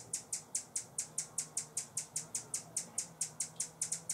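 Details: A Buff-bellied Hummingbird guarding a feeder gives a warning call, a steady run of very high, sharp chips about four each second over a faint low hum, in San Benito, Texas, on 2014-10-25.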